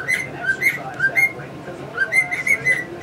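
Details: Pet cockatiel, male, whistling a learned tune: a few clear paired whistles, then a quick run of notes near the end, faint budgie chirps in the background.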